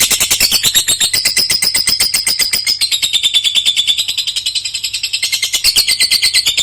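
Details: Juvenile lovebird of the fighter type delivering long-duration singing, a continuous fast rattle of shrill, buzzy chatter notes pulsing several times a second without pause, steady in loudness from start to end.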